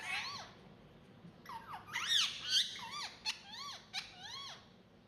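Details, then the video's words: Pet ringneck parrot, one of two talking parrots kept indoors, chattering in a small room: a rapid series of squeaky, arched chirps rising and falling, repeated about twice a second, with no other sounds. "Talking Parrot"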